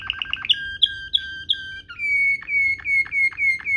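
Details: Waterslager canary song used to tutor canaries, with quick chirps, spaced whistled notes, then a steady series of clear whistled notes repeated about three times per second.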